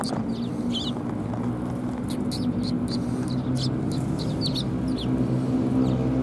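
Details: Several sparrows coming to be fed at a Tenmangu shrine, 18 December 2020, keep up frequent short chirps, fairly quick and uneven in spacing, above a persistent low hum.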